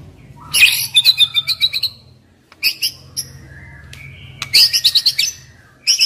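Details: A young forest-born white-rumped shama gives short, high, scratchy chattering bursts separated by pauses, with a faint low hum underneath; the recording serves as a lure for reluctant singers.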